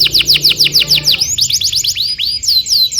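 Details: Canary tutor song for training young canaries: a run of fast descending whistled sweeps, then slower, higher, separate upward-curving notes repeated about twice a second, with a faint low hum underneath.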